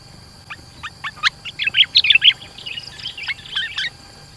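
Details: ['Sooty-headed bulbul singing vigorously, a dense lure song meant to draw rival bulbuls closer. Spaced single chirps build into a rapid run of bright, warbled notes, then looser chirpy phrases. A faint steady high tone runs behind.']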